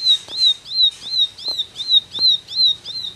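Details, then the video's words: Bar-winged prinia, called ciblek, singing a fast tembakan burst: a high slurred whistle rising then dropping, repeated nearly three times a second, with faint clicks beneath. "Tembakan Ciblek Gacor"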